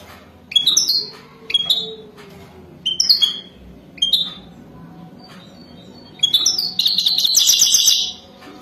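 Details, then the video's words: Wadani-type European goldfinch in mating song: several separate twittered phrases with falling slurred notes, then a sustained dense buzzy trill lasting nearly two seconds, over a soft low background. "اجمل و اروع تغريد حسون وداني رائع جدا"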